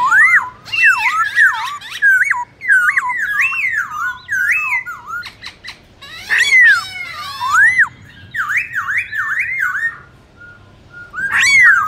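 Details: Varied challenging song of a black-throated laughingthrush, used to rouse other birds: zigzag whistled runs, squeaky chatter bursts and short gaps of near silence.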